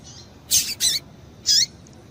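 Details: A female double-collared seedeater calls to stimulate the male's song: a quick double chip, high and harsh-edged, then a single similar note after about a second, over soft background noise.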